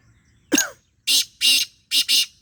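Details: Black francolin at close range: a brief falling introductory note, then four harsh, rasping, broadband notes in a rhythmic run, the final two tightly paired.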